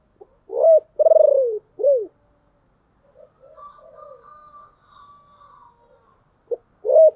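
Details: Husky decoy spotted dove luring wild birds: a full four-part coo with a pulsed, falling long note, a pause filled by faint softer cooing, then the phrase beginning again.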